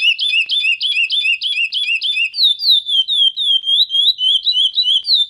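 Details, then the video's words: Chestnut-bellied seed finch (curió) giving its true song: a rapid string of clear whistled notes, first short down-slurred notes repeated about four times a second, then smoother warbled, gliding phrases, with no other sounds. "VERDADEIRO CANTO DO CURIÓ"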